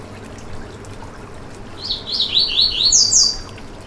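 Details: Yellow-bellied seedeater singing, a recording meant to warm up and stimulate another bird of its kind: after near silence, a rapid chain of high whistled swoops, clear and lively, lasting about a second and a half, with soft steady background hiss.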